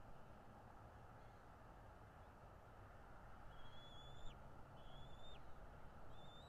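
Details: Bald eagle at a streamed nest camera in North East Florida: three thin, high whistled notes in the second half, each held level then dropping sharply at the end, about a second apart, over steady low rumbling background noise.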